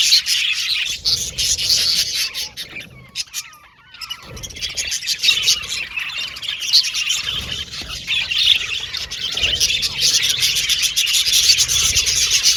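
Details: Budgerigar aviary colony: dense chirping and warbling chatter from many birds, a brief near-silent lull around four seconds, then the high busy twittering swells back to full volume.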